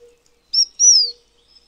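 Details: Taiwan fulvetta, a bird endemic to Taiwan's high mountains: a short high note, then a longer high whistle sliding downward, with a faint low hum beneath.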